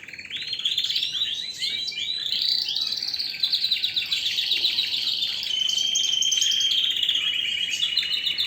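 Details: A canary sings nonstop, chaining fast chattering trills and warbles into a sustained, even, high-pitched roll that grows into a long steady trill toward the end.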